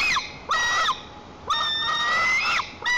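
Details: White-tailed eaglet in a wild nest, Lower Kama National Park, Tatarstan, 21 July 2023, having a tantrum to protect the nest. Three strident, drawn-out screams, each with a sharp upward slur at its start.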